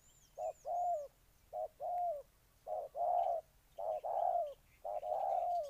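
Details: Repeated soft coos of a spotted dove, Ninh Thuận, Vietnam, each phrase a quick note and a longer falling note, about five phrases, with a few faint high chirps from other birds.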